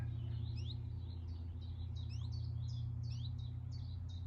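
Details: Common chiffchaff alarm-calling near a nest on a sunny 14 May 2023, giving short, high, upslurred notes, about four per second, over a steady low outdoor rumble.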